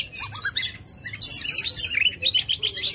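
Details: Tail-fanned Oriental magpie-robin in aggressive song, used to get a silent bird singing; a busy stream of rising whistles, warbles and sharp chips, sustained throughout.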